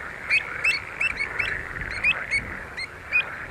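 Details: Pied avocets at Skanör and Falsterbo, Sweden, in June 2015 give clear, fluty 'kluit' notes, repeated roughly every half second and overlapping as if from several birds, over a soft steady background hiss.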